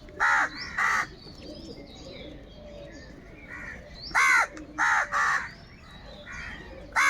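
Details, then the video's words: Crows fighting for food give very loud, harsh, nasal caws in short bursts: two near the start, a cluster of four between the fourth and fifth seconds, and one more at the end, over faint distant chirping. "Kaka sound and noises of Crow birds"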